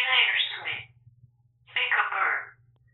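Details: Talkative African grey parrot speaking indoors after a live stream, recorded by a bird camera: two rich, breathy word-like phrases, each under a second long, parted by a short gap and a steady low hum.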